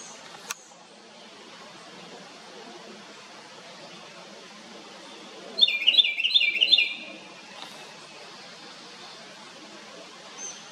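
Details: House wren making a loud noise: mostly quiet background with a single click early on, then one quick, bright trill of rapid notes lasting just over a second midway.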